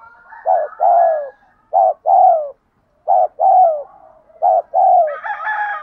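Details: Spotted dove, a decoy bird in training, cooing in the 'thúc gù' style: three groups of deep, mellow coos, a short note then a longer falling one, spaced about a second apart, ending in a higher buzzy note.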